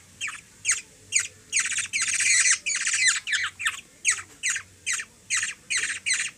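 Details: Philippine Black-naped Oriole, called kilyawan, hungry and fed by a small girl of three, repeats grating squawks about two or three per second, some merging into a continuous harsh burst midway.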